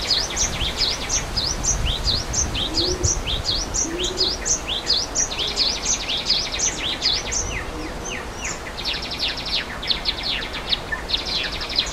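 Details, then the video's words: Java sparrows in the wild by a waterfall chirp in quick high notes, more than one a second, with short buzzy trills between them, over a steady roar of rushing water. "Suara Air Terjun dan Burung Gelatik di Alam"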